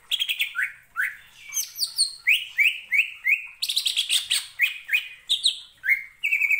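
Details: A lively greater green leafbird, used as a lure to stir other birds, pours out a fast, varied song of bright whistles and chattering notes, many sliding down from high pitch, about three per second.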